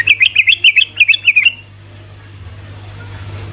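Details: Sooty-headed bulbul song played to provoke other bulbuls to sing: a quick burst of about a dozen bright, bubbling chirped notes in rapid succession, lasting about one and a half seconds, followed by low steady hum.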